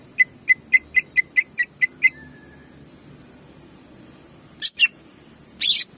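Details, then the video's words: Greater green leafbird jamtrok song used as master training material: a run of about ten crisp, sharp chips in two seconds, then quiet with a faint whistle and two later harsh bursts. "CUCAK IJO GACOR JAMTROK TEMBAKANYA BIKIN PANAS"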